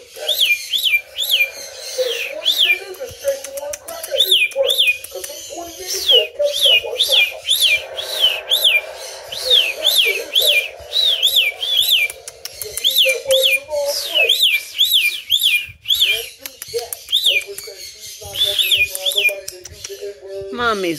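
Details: A pet male cockatiel that stands on one foot sings a run of bright, arching whistles at night while his owner talks softly and praises him nearby.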